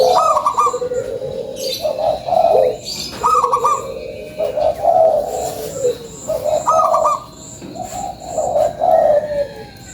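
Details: Zebra dove of local stock sings its lure song, a series of rolling, bubbling coo phrases ending in a higher trill, repeated several times with short pauses and a faint high whistle throughout.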